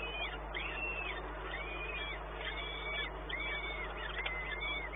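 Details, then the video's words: Peregrine falcon at Płock, recorded 1 May 2019 around midday: a series of arched, wailing calls rising and falling, about one per second, over a steady low hum and background noise. "Sokół wędrowny"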